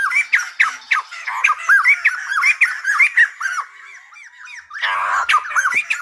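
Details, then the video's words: Silver-headed babbler singing a fast string of looping whistled and squawky notes that pauses briefly midway, then resumes with a louder burst of harsher, noisier notes before the whistles return. "Khướu Đầu Bạc / Silver -headed Babbler / Singibg like aLumba Dancer."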